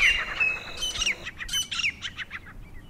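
Grey francolin giving harsh, high, squawky notes in a rapid run of about a dozen calls over three seconds, fading slightly toward the end.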